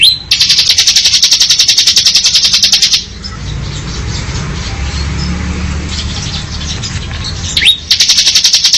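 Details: Bar-winged prinia in ngebren style: a long, rapid, high buzzy trill, a pause of several seconds with soft low background noise, then a rising whistle before the trill starts again.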